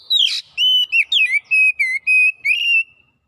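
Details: Kacer, the Oriental magpie-robin, in gacor song showing its repertoire. A sharp buzzy opening is followed by a chain of clear, steady whistled notes, each slurring slightly down, delivered quickly without pause.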